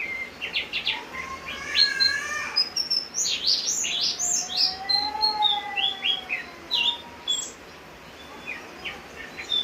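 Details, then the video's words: Lively song of a Javan grey-throated white-eye during rain: dense, chattering runs of high rising and falling notes mixed with a few lower, drawn-out slurred whistles, delivered almost without a break. "opior jawa gacor saat hujan"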